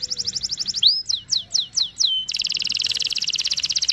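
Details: Canary song played to teach a young canary: a quick high trill, a rising swoop, five sharp falling whistles, then a long dense buzzy rattle.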